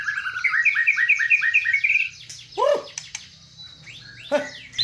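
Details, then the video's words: White-rumped shama delivering a fast series of about ten repeated upslurred notes, then a loud deep swooping whistle and later another, part of a captive bird's bowing display with rich filler phrases; soft low hum throughout. "MURAI BATU KAPTEN JRG || IDENTIK GAYA SUJUDNYA ,TEMBAKAN ISIANYA YANG MEWAH"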